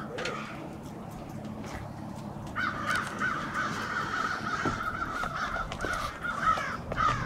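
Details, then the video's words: Crows staging in winter on Washington Street, Brattleboro, Vermont, 16 February 2021: after a quieter start, a dense chorus of overlapping harsh caws from many birds runs continuously to the end. "Crows staging on Washington St"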